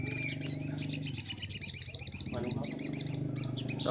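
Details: Master recording of a sunbird for bird training: a continuous high buzzy trill of rapid pulses over a steady low hum throughout.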